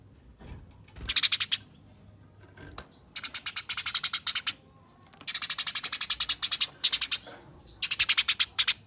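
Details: Eurasian tree sparrows chattering as in a fight, a lure for other sparrows: several long, steady runs of buzzy chips building in loudness, each lasting one to two seconds.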